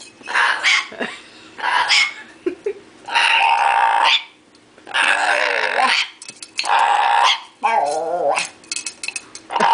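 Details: Male pet bare-eyed cockatoo being entertained by its owner with a can, giving a series of loud, harsh, raspy screeches, each about a second long, repeated roughly every one to two seconds, with a few wavering, growling notes between.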